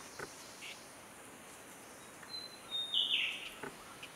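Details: Short-tailed scimitar babbler sitting calmly while orange-headed thrushes and eyebrowed thrushes chase each other nearby; one thin high note slides into a brief, slightly descending burst near the end, over steady forest hiss with faint scattered clicks.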